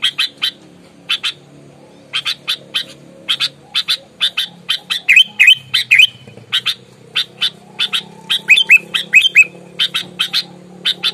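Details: Sooty-headed bulbul singing aggressively, fighting mood: a long steady series of harsh chattering notes about every half second, breaking midway into quicker whistled, slurred phrases, with a low background hum.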